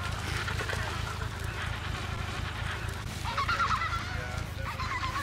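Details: Breeding Adélie penguin colony on Paulet Island, Antarctica, in February 2019: a soft background of distant calling, then a louder nasal, harmonic call near the end, with steady low wind noise throughout.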